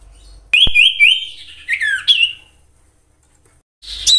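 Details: Common iora singing in the lively 'nyiul' style, from a recording meant to lure other ioras: a sharp click, then high whistled notes repeated in a row, a falling slur, silence, and a final high note.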